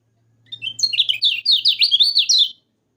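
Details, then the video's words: Energetic yellow-vented bulbul song, used to prompt sluggish caged birds to sing, as a dense two-second string of quick, looping high chirps with a faint low hum beneath. "Kecial kuning Masteran"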